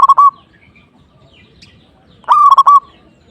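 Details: Zebra dove, the local perkutut, in energetic song meant to provoke an opponent: two bursts of soft stuttering hoots that end in a steady coo, separated by nearly two seconds of near silence.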